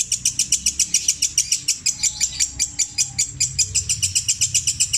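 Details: Long-tailed shrike (cendet) from Java singing a long repeated song with imitations of other birds, including tengkek buto, kuntilanak and sparrow, in the petir style: a steady run of sharp high chips, about six per second, bright and metallic.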